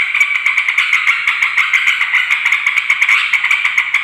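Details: Busy, noisy yellow-vented bulbul calling used to draw in wild males and females: fast pulsing chatter, clicks and buzzy notes repeating several times a second.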